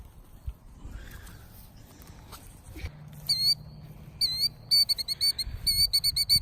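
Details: A killdeer with a nest in a pasture feigns a broken wing to lead people away from the nest, giving shrill, high, rising-and-falling cries: two drawn-out notes, then a quick run of sharp calls about twice a second, over a low hum.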